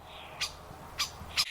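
A common starling gives three short, harsh, scratchy calls about half a second apart, high and rasping, over a faint background hiss.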